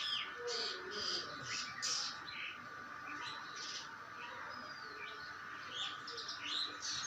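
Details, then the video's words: Common myna (salik) calls: scattered harsh chirps and short whistled notes, some rising or falling, over a constant humming background noise. "sound..of salik bird"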